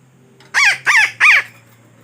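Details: Trapping lure call of a parakeet, three raspy arched squawks spaced about a third of a second apart against a faint constant low hum.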